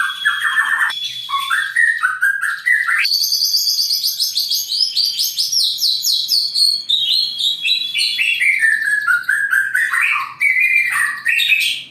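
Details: White-rumped shama bred in captivity in Indonesia from a Jawara line, singing a long continuous burst said to demoralise rivals: rich, fast-changing whistles, trills and rapid chattering runs rising and falling through a wide pitch range.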